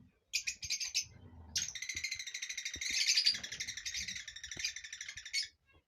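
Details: Mating chatter of Rosy-faced and Fischer's lovebirds used to prompt breeding: a short burst of shrill twittering, then several seconds of continuous, rapid, buzzy high-pitched chattering in a small room.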